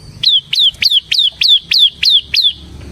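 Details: A ciblek semi Bar-winged prinia in lively song used as a lure and tutor: eight piercing chirps, each rising sharply then sliding down, delivered about three per second.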